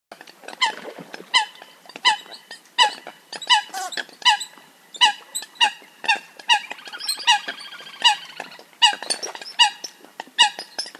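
Coots give short, sharp, nasal notes more than once a second, with squeakier overlapping calls in the middle as several birds call together.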